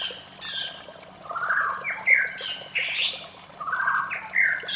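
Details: White-rumped shama at morning time mixing lower buzzy slurred phrases with harsh bursts and brief bright whistles, in spaced groups over a constant flowing water-like background.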